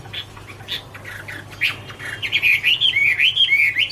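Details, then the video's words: Chinese hwamei, Garrulax canorus, "Autumn Love Song" recorded in 2017: scattered soft chirps for two seconds, then a burst of loud, looping whistled phrases rising and falling quickly to the end. "" Autumn Love Song " Bird Garrulax canorus Singing- Birdsong"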